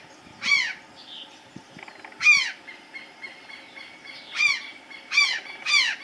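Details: An Azure Jay (Cyanocorax caeruleus) resting on the last branch of a tree gives five loud, harsh, down-slurred calls at uneven intervals over six seconds, with a thin steady insect-like hum behind them.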